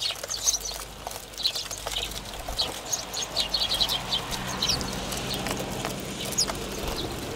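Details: House sparrows, a flock visiting a ground camera in Recke, Germany, in late autumn, December 2019: short, bright chirps scattered through the clip, mixed with frequent sharp clicks of pecking and brief wing flutters.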